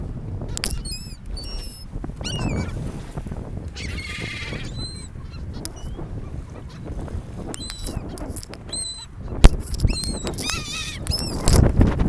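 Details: Seagulls calling at a beach by the ocean, with people nearby; brief harmonic calls, some falling and some laughing-like, scattered across the recording over low rumbling surf and wind noise.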